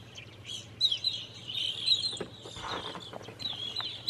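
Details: Large flock of evening grosbeaks perched in maple trees in a yard, giving a dense stream of overlapping high, clear chirps, several loud notes standing out, with a steady low hum and some rustling beneath.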